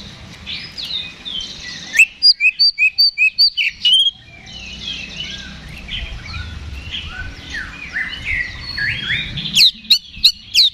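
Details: Oriental magpie-robin fighting song used to rouse rival birds. Soft background twittering, then a crisp run of about eight evenly spaced whistled notes, more mixed chatter, and a few sharp chips at the close.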